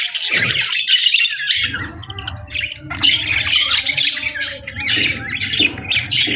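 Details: Budgies chirp and squawk together on a calm morning in a lively, scratchy chatter, with a low steady hum in the background for most of the clip.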